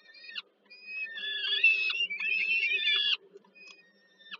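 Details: Peregrine falcon nestlings in Warsaw, Poland, calling while fed by the mother at dinner on 15 July 2022: a few short squeals, then a sustained grating, wavering scream lasting about two seconds, then quieter brief notes.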